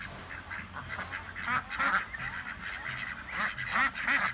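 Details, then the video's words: Quacking flock of 26 ducks on a farm in Chile: a busy mix of harsh, nasal calls, building to louder bursts near the middle and end. "26 Quacking and Laughing Ducks!"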